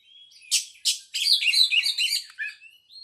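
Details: White-rumped shama song opening with two harsh noisy bursts, then a rapid jumble of chirped and warbled notes, ending in a few thin whistles.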